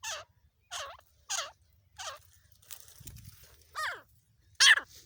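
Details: Calls of a female black francolin, from jungle hunting in Pakistan: harsh, rasping notes that slide downward, repeated at irregular intervals of about half a second to a second, with a brief low thump midway.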